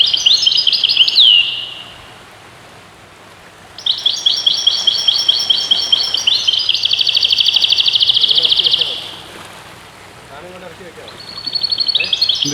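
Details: European goldfinch singing in bursts: a sweeping opening phrase, a long rolling stretch of rapid twittering notes, then another short twitter after a quiet pause with faint background noise.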